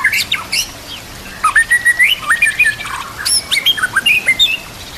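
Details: White-rumped shama sings a rich, varied medley of clear whistles, sharp upslurs and scratchy notes in quick bursts, with piercing high chips between phrases, over nature sounds and trickling water. It is used as tutor song for other shamas.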